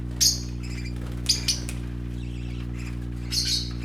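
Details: Playing parakeet babies, brightly coloured, let out three short bursts of sharp, high chirping separated by pauses, with a constant low hum underneath.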